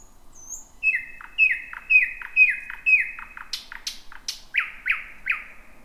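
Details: Night song of a thrush nightingale in thick bushes, first of the 2026 season: a run of clipped falling notes, then sharp high clicks, ending in slurred downward notes repeated quickly.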